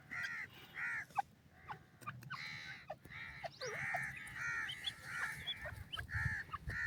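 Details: Partridge, described as Iranian, with its chicks: harsh, buzzy calls in a steady run, each short and rasping, repeated roughly twice a second, with a low rumble beneath.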